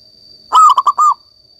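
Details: Vigorous local zebra dove: a single cooing phrase of one long opening note, two short coos and a long final note, over a faint steady high whine.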